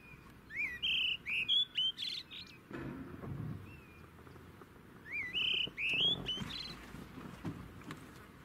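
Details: Brown-hooded kingfisher in South Africa giving a quick phrase of high, clear whistled notes that step upward, repeated after about four seconds, with low rumbling noise between.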